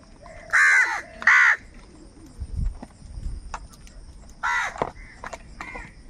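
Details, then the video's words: Angry crows calling while fighting for food: two loud, harsh caws in quick succession, a pause with faint rustling, then another single hoarse caw followed by softer clipped notes, with a steady high hiss in the background. "Angry kauwa ki awaaz | Crow bird unity anger and sound for food"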